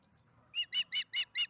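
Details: Osprey at a nest cam in Charlo, 1:50pm MDT on April 26, 2019, bringing a fish to the nest: five short, sharp whistled chirps in quick succession.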